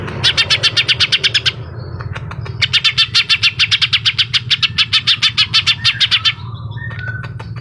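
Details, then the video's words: Green leafbird (cucak ijo) in hot 'suara pedas' song: bursts of quick, piercing repeated chirps, a short pause, then a longer chirping run of nearly four seconds, ending in soft whistled notes over a low background hum. "cucak ijo cica hijau suara pedas"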